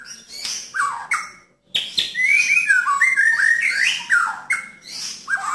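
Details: White-rumped shama giving rough, clear song played to help a caged bird that stopped singing: quick varied whistled phrases, descending slurs and harsh notes, a brief pause, then a fast string of ringing whistles.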